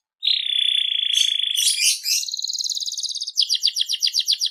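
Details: Canary of the Seri FI type singing energetically: a long steady whistled note, then buzzy rapid trills and a run of quick repeated chopped notes, high and clear with no other sounds.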